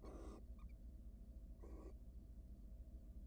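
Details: Wild barn owl pair at a monitored nest box as the male steals his mate's dinner and bolts: two harsh, breathy hissing screeches about 1.3 seconds apart, each under half a second, over a low steady rumble.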